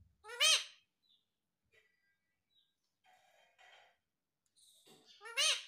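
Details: Rose-ringed parakeet kept as a pet, talking "mummy papa": two loud, bright harmonic syllables with a sharp rising-falling contour at the start and end, separated by quiet scratchy chatter and soft muttered notes.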